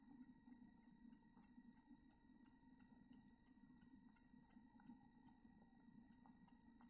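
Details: Chickadee nestlings in a backyard nest box, two chicks hatched from seven eggs: high, thin, clipped notes repeated steadily about three times a second, with short pauses, over a faint low hum.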